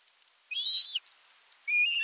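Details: Osprey male at nest #1 in the Satakunta region, Western Finland, arriving at the nest with a big fish on July 19, 2022, recorded by a nest camera; two loud, whistled, slightly downslurred harmonic calls about a second apart.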